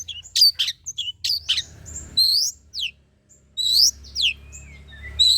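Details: Long-tailed shrike song used to lure shrikes into singing: high, sharp chips and slurred downward whistles in irregular bursts with short pauses, some notes loud and piercing.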